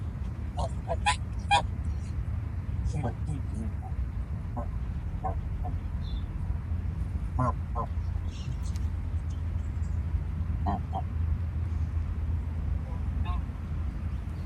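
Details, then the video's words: Geese giving short, scattered honking calls, several brief nasal notes spread over the recording with pauses between them, over a steady low rumble. "SOM DE GANSO CANTANDO, Barulho de Gansos"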